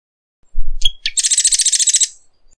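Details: Marsh wren singing. A low thump and a couple of sharp high notes come first, followed by a fast, mechanical rattling trill of about a dozen evenly spaced buzzy notes held for roughly one second.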